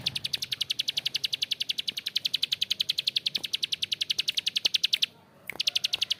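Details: Bar-winged prinia calling long and harsh: a steady, rapid series of dry ticking notes, about four per second, running on for five seconds, pausing briefly, then resuming.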